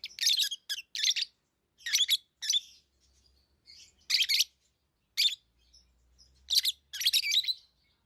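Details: Tamed lovebirds give a lively series of sharp, raspy chirps, about ten bursts over eight seconds with uneven gaps, over a faint low rumble.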